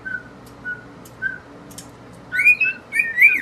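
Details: A pair of indoor cockatiels singing beside a mirror: a few soft level whistles spaced out at first, then louder rising and wavering whistled notes crowding together at the end.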